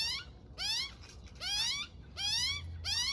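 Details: Young magpie spending the morning beside its mum as she feeds it, giving short, rising-then-falling wailing cries repeated roughly every half second to second, five in quick succession over a quiet background.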